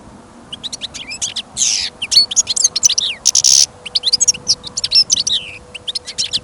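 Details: Confident full song of a caged European goldfinch held for trial listening, recorded outdoors after sudden snow and rising wind: dense, lively twittering with rasping buzzy notes and rapid sliding chirps, almost continuous.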